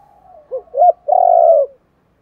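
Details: One lure phrase from a spotted dove: two short rising notes and then a long, level, throaty coo lasting about half a second.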